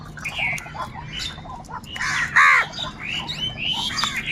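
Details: Crows fighting for food give harsh, hoarse caws in quick overlapping bursts, several birds calling loudly and continuously over one another with low background hum.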